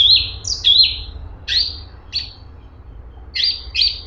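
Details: Straw-headed bulbul (cungkok) singing in a lively, dense fast style: a few sharp high chirps and short whistled slurs, spaced unevenly with brief pauses between them.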